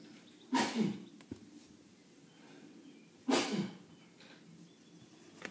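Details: A peacock from down the road, at 6am on a patio, gives loud, harsh, blaring wake-up calls, two bursts about three seconds apart, each with a brief falling tail, with faint small-bird chirps in the background.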